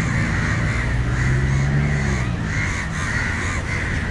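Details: Agitated crows in Matara, Sri Lanka, shout at a dog nearing a crow struggling on the ground while one chases it by flying over; rough caws come about twice a second over a deep steady hum.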